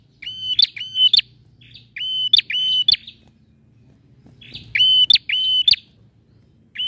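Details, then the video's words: Male bar-winged prinia singing, used to prompt a silent bird to sing: loud, high, strident phrases of flat whistled notes ending in sharp clicks, delivered in tight pairs, with a soft low hum underneath. "PRENJAK JANTAN GACOR"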